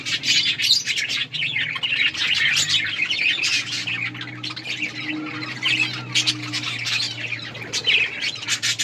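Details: Budgies eating and playing together: a lively unbroken chorus of warbling chirps and squeaks, with a low steady hum running beneath.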